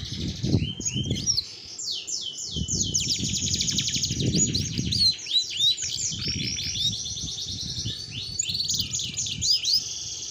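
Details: Singing female domestic canary in full ngerol roll: long continuous high rapid trills with fast repeated notes and brief whistled sweeps, sustained about ten seconds, with low background rumbles.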